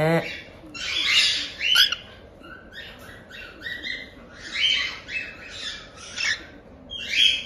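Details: One-month-old cockatiel chicks at a breeder in Tokachi, Hokkaido, give the harsh, raspy "jaa-jaa" begging screeches of chickhood in noisy bursts about every second, with a brief human voice at the start.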